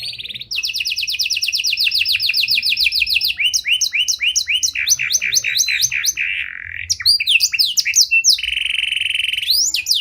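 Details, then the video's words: Canary, panda type, delivering a rich cengkok mewah song for luring and training other canaries; unbroken sequence of rolling trills, repeated downward sweeps and a sustained buzzy tone, tempo changing between phrases. "Pancingan Suara Burung Kenari Panda Cengkok Mewah! Ampuh Buat Memancing Maupun Melatih Kenari Lain"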